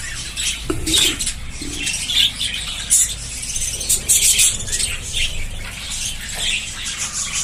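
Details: A colony of budgerigars in a breeding setup chatters as a flock, a dense mix of high scratchy chirps and warbles.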